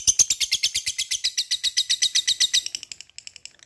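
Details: Lovebird in a long chattering song used to provoke other lovebirds to sing: rapid, evenly repeated harsh high notes, about five per second, fading into softer clicks near the end.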